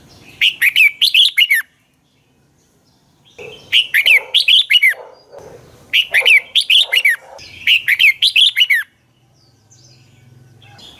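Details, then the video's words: Red-whiskered bulbul singing a dueling song, used as a lure bird to train other bulbuls: loud bursts of five or six rapid whistled notes in quick succession, repeated about every two and a half seconds, with brief gaps between phrases. "luyện chào mào hót sáng hót hay dùng thúc bổi, ép giọng rất hay, chào mào căng lửa, chào mào hót đấu"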